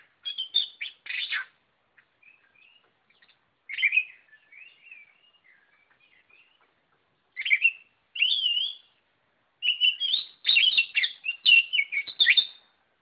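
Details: Oriental magpie-robin in full song, short bursts of rapid chattering alternating with softer slurred whistles, separated by brief pauses, growing into dense, varied phrases toward the end.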